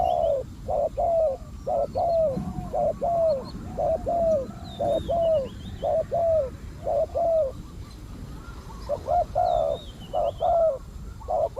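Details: Spotted dove serving as a decoy for wild doves gives a rapid series of low, throaty coos, roughly one per second, with a brief pause midway and soft high chirps from other birds.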